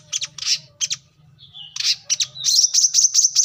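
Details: A brown-throated sunbird, called kolibri kelapa or wiceh, in a tutor recording for caged birds gives harsh, scratchy chirps and a short slurred note. It then breaks into a quick trill of high, bright notes.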